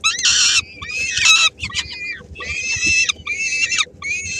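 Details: At a Helmond peregrine falcon nest in May 2016, the female arrives with a little food for her three-week-old young. Loud grating screams in half-second blocks, separated by short pauses, with faint background hum.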